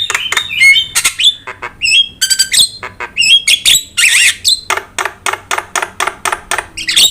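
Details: Javan myna song meant to provoke and train other birds: a dense, fast string of clicks, squeaky whistles and harsh chattering notes, delivered steadily and almost without pause.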